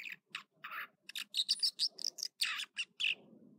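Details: An American dipper's morning song, Echo Lake, Trinity Alps, California: a brisk sequence of separate sharp notes, then clear piping whistles and quick chips, each burst short and emphatic.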